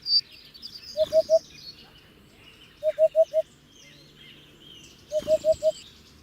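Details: Low, soft hoots of a Hoopoe in sets of three or four, repeated about every two seconds, with other birds chirping higher and a short knock of noise.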